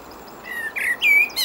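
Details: A common blackbird sings on a windy day: a brief fluty phrase of mellow, low whistles, the last one held, then ends in a thin, high squeaky twitter.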